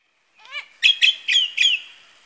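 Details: A male lyrebird at Masons Falls, Kinglake National Park, mimicking various birds, gives a soft rising note, then four loud, ringing, harsh bursts in quick succession, each about a quarter-second long.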